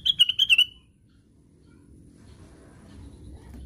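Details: Plaintive cuckoo 'sleep-talking' (ngigau) with a brief burst of five rapid whistled notes, followed by quiet low background noise.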